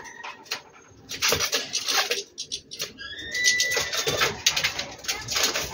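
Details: Goldfinch of unknown sex singing in dense bursts of scratchy, buzzy twittering mixed with a few thin whistled notes, separated by brief pauses.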